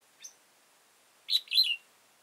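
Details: Old wild red-whiskered bulbul with a tall crest and dark bib, recorded during trapping on 15 October 2018: a faint short note, then a loud chirpy, warbled two-part phrase that rises and falls.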